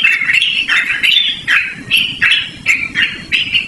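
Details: Yellow-vented bulbul giving melodious, carrying song for bird luring or training: around eight rounded, bubbly phrases, each dipping then rising, with slight rustling noise underneath.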